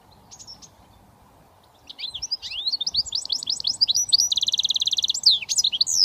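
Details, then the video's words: Goldfinch mule, a British finch hybrid, singing switty song: after two quiet seconds, rapid high twittering notes build up, then a fast, even buzzy trill, ending in sharp sweeping chirps. "Goldfinch mule switty 100% British finch"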